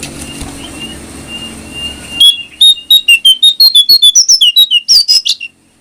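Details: Brown prinia song used as a training recording to spur other brown prinias to sing; faint thin whistles over low hum, then a loud, quick burst of about fifteen sharp, high chirped notes jumping up and down in pitch for three seconds.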